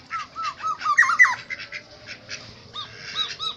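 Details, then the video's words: Black-naped oriole from Aceh, Indonesia, giving short, clear whistled notes that dip and rise in a steady series, with a louder looping whistle near the middle and a few high faint chirps behind. "Burung Kepodang Asli Aceh"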